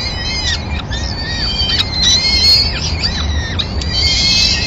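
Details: Peregrine falcons, Madrid, 26 April 2016: the male brings a small bird as breakfast for all the chicks. Rapid series of curved, harsh, harmonic whines, closely spaced and overlapping, with a low background rumble.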